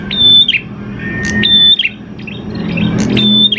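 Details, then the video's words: Prinia singing, a lure recording for getting prinias to sing: three clear, flat high whistles, each ending in a quick buzzy chirp, over a low background hum. "PANCINGAN PRENJAK KLAWU GACOR, NGALUN BIKIN PRENJAK CEPAT BUNYI"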